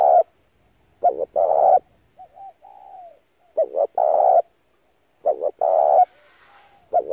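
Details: Spotted dove lure call for trapping, repeating a short doubled coo plus a long coo roughly every two seconds, with faint quiet notes in the gaps.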